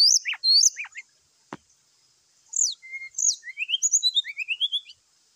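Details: Morning fighting sound of a brown-chested jungle flycatcher, meant to provoke other birds: sharp falling chips and a click, then a brisk series of short whistled notes climbing and repeating quickly.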